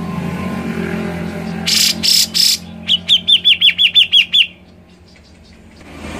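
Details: Grey-cheeked bulbul, known locally as cucak jenggot, gives three harsh rasping bursts, then a rapid run of about nine clear, bouncing, down-slurred notes. Played to coax another bird into singing; faint low traffic hum beneath.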